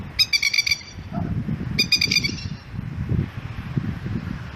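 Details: Alarm calls of a masked lapwing protecting its chick alongside its family: two rapid rattling bursts of harsh staccato notes, then continuous low rumbling noise without calls for the remaining seconds.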